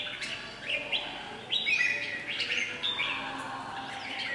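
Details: A captive red-whiskered bulbul, a wild-caught lure bird from Hòa Bình, Vietnam, sings bright, liquid whistled phrases with quick upward slurs, repeated every second or so over faint background hiss.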